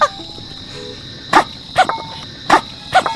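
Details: A domestic mallard duck on Jeju gives four short, soft nasal grunts while eating, roughly one every second, each a brief breathy "hmph" it usually makes when fed, with a faint steady hum behind.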